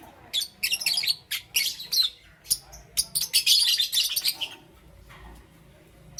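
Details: Lovebirds, Green Opaline and Parblue Euwing Green Opaline, kept as pets, chirping in the morning: quick runs of high, sharp twittering notes in clusters, fading into near-silence toward the end.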